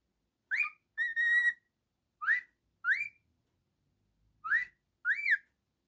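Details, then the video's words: Male pet cockatiel whistling, short upswept notes alternating with a longer flat, slightly buzzy whistle, six phrases separated by brief pauses, no other sounds. "The Naughty Cockatiel singing and whistling"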